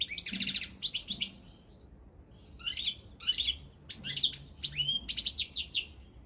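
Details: Balkan European goldfinch, Carduelis carduelis balcanica, singing for an online world song championship: rapid twittering phrases of buzzy trills and tinkling, liquid notes in bursts separated by short pauses.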